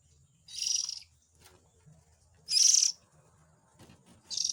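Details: Calls of a young Oriental magpie-robin, played to lure parent birds. Three harsh, scratchy bursts arrive at uneven intervals, with a soft low hum and faint clicks underneath.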